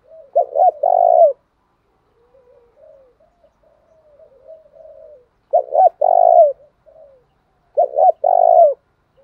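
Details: Spotted dove coos used to provoke rival doves into fighting: three loud phrases of two short notes plus a long falling coo, separated by gaps, with a stretch of quiet murmured cooing in between.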